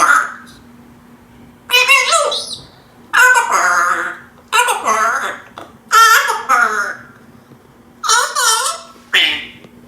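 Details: Pet African grey parrot talking indoors: a string of clear human-like words and phrases in bursts of one to two seconds, with slightly nasal, wavering tones and short gaps between.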